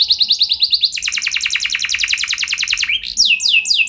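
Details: Canary singing as a lure for other canaries; a quick trill leads into a long, dense rolling rattle of rapid repeated notes, ending in looping sweeps.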